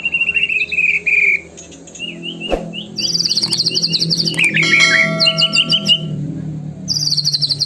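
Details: White-rumped shama, murai batu, in a lure recording meant to make other shamas sing fully: clear whistled phrases near two kilohertz, then rapid high buzzy bursts and trills, with a steady low hum and faint plucked-string music beneath.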